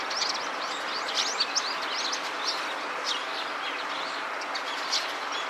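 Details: Eurasian tree sparrow gives short, high chirps in loose bursts with some quick doubled notes while scratching itchy spots with its beak and feet, over a steady hiss of background noise.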